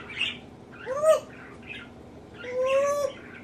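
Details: Captive male African grey parrot copying its owners' sneezes, laughs, burps and nose blowing; two drawn-out, bent tonal cries with a softer scratchy murmur between them.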